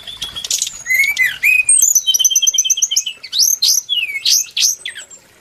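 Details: Song of a brown-chested jungle flycatcher: busy, varied whistled phrases with rapid trilled runs of repeated high notes, upslurs and chirps packed closely together, fading at the end.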